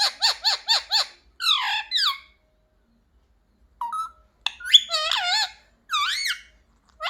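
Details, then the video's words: Talking pet parrot said to mimic "mummy papa": four quick bouncing harmonic notes, then falling squawky syllables, a pause, and a run of wavering, rising and falling harsh phrases. "मम्मी-पापा बोलने वाला सुपरस्टार मिट्ठू || 100% असली बोलने वाला मिट्ठू | Viral Parrot Talking Video"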